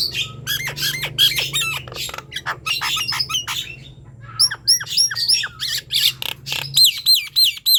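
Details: Nias hill myna in full song, played to coax silent birds to sing: dense harsh squawking and rattling chatter, a brief pause, then a run of bright upslurred whistles and clicks, with low hum throughout.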